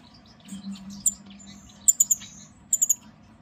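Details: Pair of blue-faced parrotfinches on a wooden perch: very high, thin tinkling notes, some delivered in quick bursts of three, with soft faint chips between.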